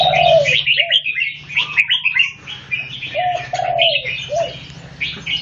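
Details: Red-whiskered bulbul singing in a head-to-head contest against another bird: quick bright chirpy phrases tumble over one another, mixed with lower sliding whistled notes, above a steady low hum.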